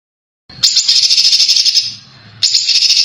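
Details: Masteran material for training contest birds, in a dense, harsh style: a very rapid, rattling high trill running about a second and a half, fading briefly, then starting again just as sharply.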